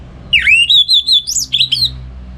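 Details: Loud close song of a caged orange-headed thrush in Singaraja, North Bali, used in the morning to teach other birds: a dipping then rising whistle running into a continuous warbled phrase with a high peak near the end.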